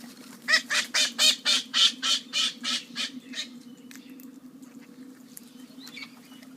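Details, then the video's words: Loud parrot calling in a fast series of around nine harsh, raspy squawks, evenly spaced and fading toward the end, then quieter scattered sounds over a constant low background hum. "Noisy Parrot"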